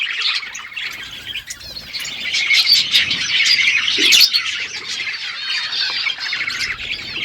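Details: Budgerigars chirping in the morning: a dense, continuous chatter of warbled, buzzy high chirps and squeaks from several birds, overlapping without pause, with a brief flutter of wings near the middle.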